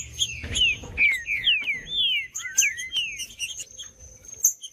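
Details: Green-winged saltator pouring out a string of melodious, down-slurred whistles with one long rising note, about seven notes in three seconds; a thin constant high tone and light chirps sound behind.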